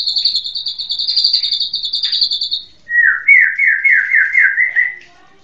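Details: White-rumped shama song: a fast, even trill of repeated notes held high for nearly three seconds, then dropping to a lower, rhythmic series of about eight rolling phrases before fading out; no other sounds.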